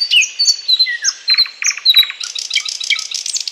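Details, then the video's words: Thrush nightingale song from Bryansk: sharp high whistles and slurred notes, then bursts of clicking, knocking pulses. It ends in a dense, rapid chatter of high notes. "Thrush nightingale (Luscinia luscinia) 00:24, 04:35"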